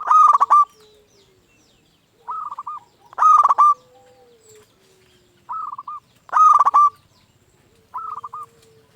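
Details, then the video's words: Local zebra dove in full song, used as a lure and tutor to stir other zebra doves into singing: loud, harsh-edged trilled cooing phrases about every three seconds, alternating with softer rolling trills, over a quiet background. "Perkutut Lokal Gacor RAJA PIKAT Ahlinya Bikin Semua Burung Perkutut Gacor Nyaut."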